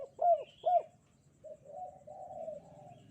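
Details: Spotted dove on a sunny morning gives two quick, strong hooked coos followed by a softer, drawn-out murmuring coo, with a faint high chirp above.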